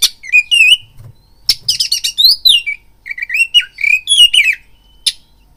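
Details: Oriental magpie-robin lure song meant to excite fighting urge in a kept bird: bright rising and falling whistles mixed with harsh rasping notes and sharp clicks in quick varied bursts.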